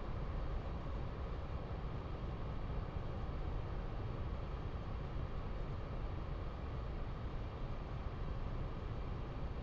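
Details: Continuous dense low roar of wind or engine-like noise, unchanging throughout, with no animal calls.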